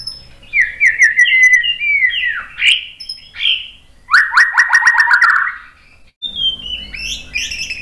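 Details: Lure song of a white-rumped shama to make rival birds respond: varied warbling whistled phrases, then a fast descending rattle-like trill, ending in sweet rising whistles.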